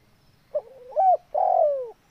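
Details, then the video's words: Close spotted dove coo: a soft wavering opening, a brief louder arched note, then a long, rich, gradually falling coo lasting over half a second. "TEKUKUR SUARA JOSS..!!"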